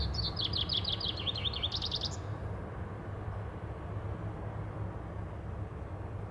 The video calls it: Common chaffinch : cleaning & singing